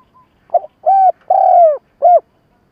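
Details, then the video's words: Spotted dove used as a trapping lure, uttering a stuttering coo series: a short broken note, a level coo, a longer falling coo, then a final shorter coo, clear and hollow, without other sounds. "Tiếng cu gáy mồi cà lăm gù - gáy - thúc kích bổi nhanh nổi"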